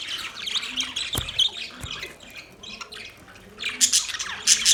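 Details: Budgerigars giving quick high chirps and harsh squawky notes, a sharp click near the start, with the chatter dipping quieter midway before a louder burst of twittering at the end.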